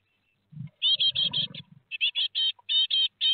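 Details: Four great tit fledglings leaving the nest at Théding, 17 July 2020, nest webcam: an eager, fast string of loud rasping calls, nearly continuous, with low fluttering and scraping noises mixed in at the start.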